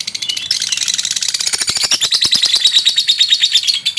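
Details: Male lovebird calling to stir up a rival's emotions: a dense, rapid chatter of shrill, rasping pulses, starting softly and growing louder, with notes bunched tightly throughout.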